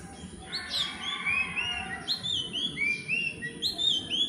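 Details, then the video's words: Philippine magpie-robin singing during nest-material gathering, possibly to claim territory; a lively run of sweet whistled notes, each a short upslurred or downslurred sweep, repeated in uneven bursts over faint background noise. "Philippine Magpie-robins Gathering Nest Materials & Possibly Singing To Claim Territory"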